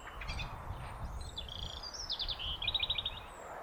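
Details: Song thrush heard on a foggy day around feeders: thin high whistles, then a rapid rattling run of clipped repeated notes, with low rumbling background noise.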